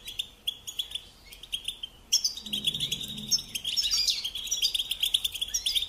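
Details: Model song of a European goldfinch for teaching young birds, starting with spaced high chirps, then turning into dense, sparkling twittering with buzzy, rising trills.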